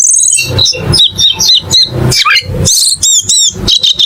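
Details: Cucak keling calling in short bursts: thin high whistles and squeaky rising-falling notes alternate with rough chattering syllables, roughly two phrases a second.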